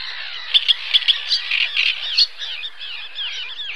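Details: At Zámecký pond, Chropyně, Czech Republic, on 18 May 2017, a great reed warbler sings a harsh, chattering run of grating and croaking notes, loud and fast at first, then a quieter stretch of churring phrases.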